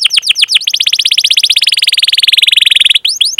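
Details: Canary 'cuit cuit' calling chirps used to stimulate young canaries: falling chirps, then a rapid, even rolling trill of about four notes per second, closing with sharp descending chirps.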